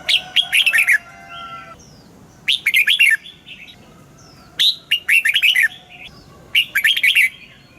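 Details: Red-whiskered bulbul song used for morning singing practice of caged birds, in the mature wild double-note style: four bright warbled phrases of quick rising and falling notes, about one every two seconds, with faint steady whistles behind.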